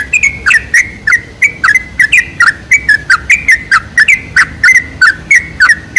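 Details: Lure recording of sooty-headed bulbul song to excite bulbuls into singing, steady stream of liquid, bouncing chirps about three per second, evenly paced throughout.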